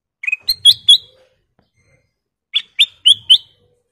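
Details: Chatty sooty-headed bulbul (golden kutilang emas form): a quick phrase of four bright chirping whistles, a two-second pause, then another run of four rising-and-falling whistled notes; background silent.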